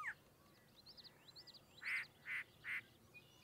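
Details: Yellow-breasted chat (Icteria virens) singing at Goose Lake Prairie State Natural Area, Illinois, on 6-02-2023. After a brief sliding note, three loud, harsh, nasal notes come about every 0.4 seconds, with faint high chirps of other birds behind.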